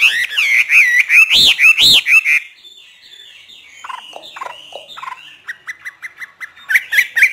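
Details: Caged Hwamei from northern Vietnamese bird keepers, singing freely in 'hót thả' style: a series of loud, rounded looping whistles repeated about twice a second, then quieter scratchy notes and short clipped chips.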